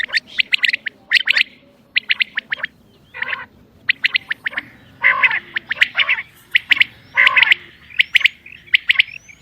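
Common quail giving sharp, liquid clipped notes in quick groups of two to four, repeated over and over at a brisk, uneven pace.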